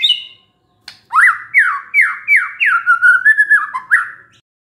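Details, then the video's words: White-rumped shama, described as stressed and suddenly singing on hearing a lure sound: a brief high note, then a run of loud whistled phrases, each a rising then falling slur, repeated rapidly and ending in a lower warble. "SEKETIKA MURAI STRES SONTAK BERBUNYI DENGAR PANCINGAN INI"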